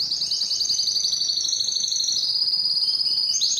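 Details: Unbroken high canary trill, a rapid buzzy rattle of tiny repeated notes held steady for several seconds, ending with a brief rising upturn.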